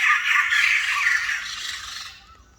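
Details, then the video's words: White-crested laughingthrush, a rare bird, giving a harsh, grating chatter with broad noisy bursts that run steadily, then fade away over the last second. "นกกะรางหัวหงอก นกหายาก เสียงไพเราะมาก"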